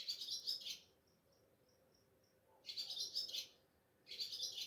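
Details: Ababil (swallow) calling at a home at night before dawn, at Sehri time, under moonlight, recorded by mobile phone: bursts of rapid, high, scratchy chirps lasting under a second, separated by quiet gaps with a few faint thin tonal notes.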